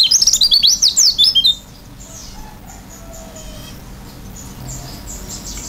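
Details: Oriental white-eye (pleci), gacor and singing with an open beak. A brief, vigorous burst of high, tumbling, twittered notes lasts about a second and a half, followed by near silence with faint distant chirps.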